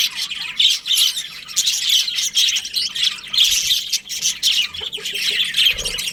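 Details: Breeding-season budgerigar colony giving a constant flock chatter of quick shrill chirps and harsher squawks, with brief dips in loudness between bursts.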